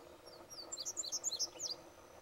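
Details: Indigo bunting singing on June 6th at Eagle Bluffs Conservation Area: a quick, high series of sweet, paired chirps lasting about a second, over a faint low background hum.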